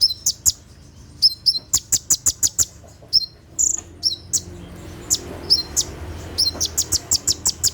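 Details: In darkness, a brown-throated sunbird pours out 'tembakan' song: rapid volleys of sharp, high metallic chips interspersed with short downslurred whistled notes, steady and energetic throughout.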